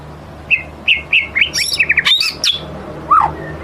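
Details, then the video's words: Lure song of a white-rumped shama: spaced short bright chirps, then a rapid jumble of high sharp notes and clicks, ending with a lone lower down-slurred whistle. "Kicau murai batu ngelemak | pancing murai batu bongkar isian"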